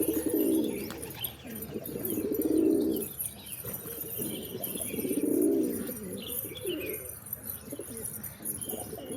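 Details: Pigeons giving repeated deep, throbbing coos, four swelling phrases spaced about two to three seconds apart, over faint chirps and a background hiss.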